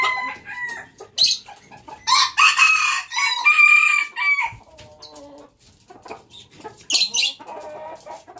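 A red junglefowl rooster gives a hoarse, clipped crow of several notes, with scattered clucks and softer calls before and after.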